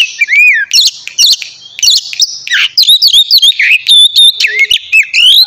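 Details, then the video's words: Loud, continuous white-rumped shama song played in the morning to stimulate singing: dense run of twisting whistles, rising and falling slurs and crisp high notes with barely a pause. "terapi pagi cocok buat mancing kacer agar cepat gacor dan bukor"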